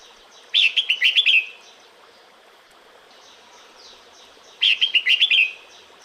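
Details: A female red-whiskered bulbul calls the male in breeding season: two bursts of rapid, bright whistled chirps, five or six notes each, separated by about three seconds of soft background hiss.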